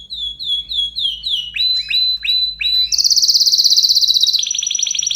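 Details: Canary singing excitedly: repeated short downslurred whistles, then quick upswept notes, then a loud high buzzing trill that drops slightly in pitch and continues.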